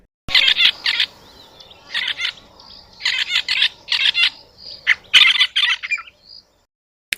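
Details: Southern African Red-billed Buffalo Weaver giving harsh, scratchy chattering bursts in quick clusters about every second, with squeaky higher notes near the end.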